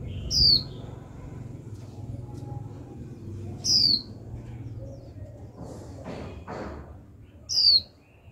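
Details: Young female white-eye calling 'chíu' continuously to get males singing: three crisp, downward-sliding whistles spaced about three and a half seconds apart, with a couple of soft thuds and low background hum.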